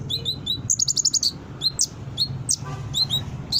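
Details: Lively brown-throated sunbird song, played to lure newly kept sunbirds into quick response and singing, also as a tutor for other songbirds: sharp high chirps, then a fast run of five clipped notes, then scattered downslurred whistles.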